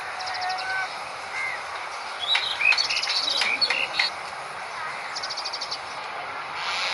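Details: Asian pied starling in the wild at its nest: varied chattering song of short whistles, clipped chirps and harsh rattling bursts, busiest in the middle, over a steady hiss of background insects.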